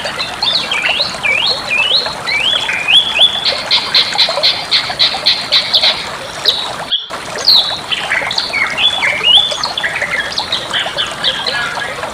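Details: Bali myna singing, a master recording for training songbirds: long run of repeated sharp chattering notes and swooping whistles, briefly cut once near the middle, then resuming with more slurred whistles.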